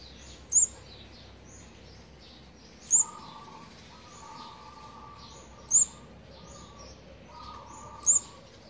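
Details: Olive-backed sunbird nestlings of a fourth brood being fed, on the eighteenth feeding day, 8 March 2020: a sharp, very high chirp repeated about every two and a half seconds, with a low steady hum in between.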